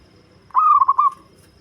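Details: Zebra dove, a local deep-voiced bird used as a lure, giving a single short coo that opens sharply and breaks into three or four quick rolling pulses before trailing off.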